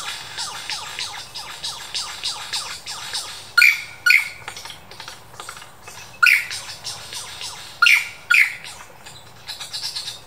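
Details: In the Dandenong Ranges Botanic Gardens, a Superb lyrebird renders laser-gun zaps, a steady string of soft falling notes, broken by loud paired camera-shutter clicks at intervals of a few seconds.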